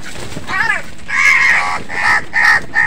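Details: Crow squabbling with other birds over food gives a run of loud, harsh, nasal caws. A short opening caw leads to a long drawn-out one, then three clipped caws in quick succession.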